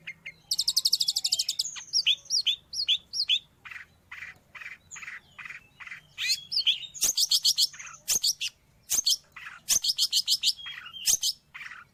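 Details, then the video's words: Long-tailed shrike singing, offered for training pet birds or as a lure for wild ones: rapid scratchy chatter mixing buzzy bursts, slurred whistles and repeated harsh trilled phrases. "Suara burung Cendet / pentet"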